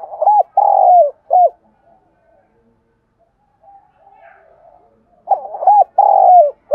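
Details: Decoy spotted dove calling to lure wild doves, giving soft low hooting coos in a grouped phrase, a quiet gap, then the same rolling coo phrase repeated.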